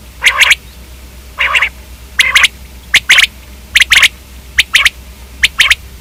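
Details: Batair, the common quail, giving spaced groups of crisp high clicks, roughly one cluster per second, some clusters doubled.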